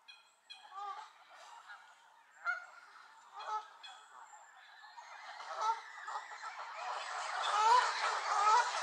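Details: A gaggle of angry Canada geese at Elvaston Castle, 3-10-15. Scattered single honks open the recording, then the calling swells into a loud, dense, overlapping clamour of nasal honks.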